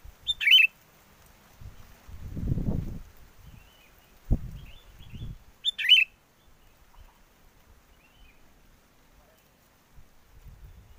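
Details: Sooty-headed bulbul song serving as a trapping lure in strong wind: two short, bubbly phrases about five seconds apart, with low thumps and rumbling between them.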